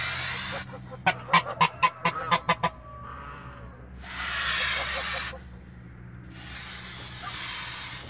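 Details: Father goose guarding its family in a farm backyard in Greece: about eight rapid, evenly spaced loud honks in a burst, then quieter broad hissing noise and a low background hum.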